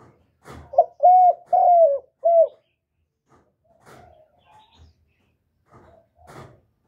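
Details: Spotted dove (cu gáy) calling, played to stimulate decoy birds and male doves: a loud run of four low, hollow coos, each gently rising then falling, packed into under two seconds, followed by faint clicks, knocks and a soft short whistle.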